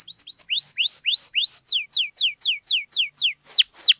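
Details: Canary singing to trigger silent canaries: a few falling notes, long rising slurred whistles, then a rapid run of sharp downsweeping whistles.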